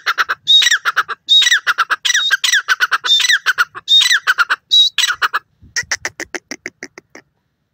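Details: Grey francolin (teetar) from Iran giving a loud rhythmic call: harsh grating notes with a sharp high whistle, about five phrases in five seconds, then quieter rapid clicking notes at the end.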